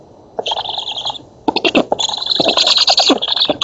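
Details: Black stork nestlings begging at a feeding in an oak nest in Poland, 11 August 2017, nest camera; a short hissing wheeze, a pause, then rapid rasping clicks building into sustained high wheezing with fast pulses.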